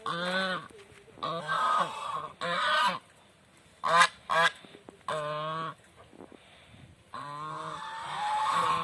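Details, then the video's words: Swans kept in a village honk repeatedly, drawn-out nasal calls and a few short sharp ones, with brief quiet pauses between calling bouts. "Village swan video"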